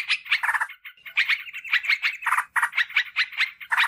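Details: Sooty-headed bulbul lure call, used to draw wild birds in forest or garden and to tutor caged birds: bubbly, chattering bursts of short notes, repeated rapidly in clusters with brief pauses.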